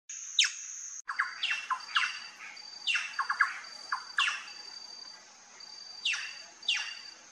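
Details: Plush-crested jay at a feeder: loud, harsh, descending calls given in irregular bursts, several notes in quick succession, over a steady high-pitched whine in the background.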